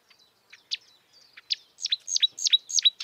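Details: A wild marsh warbler sings a quick run of high, sharply down-slurred notes that speed up into a rapid, repeated chattering series, with a faint hiss behind.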